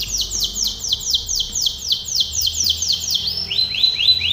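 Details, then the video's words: Canary in training song repeats high, falling whistled notes roughly four per second, then changes to a lower series of rising, curled syllables. "canary singing / canto Canario cantando | canary training song"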